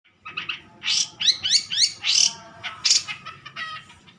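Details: Long-tailed shrike, a handsome mature bird in full song: harsh chattering notes and buzzy bursts, several short rising phrases, steady faint hum beneath.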